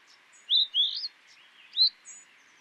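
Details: Streaked rosefinch song phrase: a couple of sweet, rising slurred whistles followed by a higher upsweeping note, clear against a quiet background.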